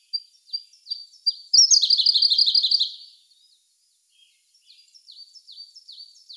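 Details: Song of a Siberian blue robin in May 2021, captured with a Sony A1: a few thin high notes, a loud rapid chattering burst, a pause, then more soft repeated high notes.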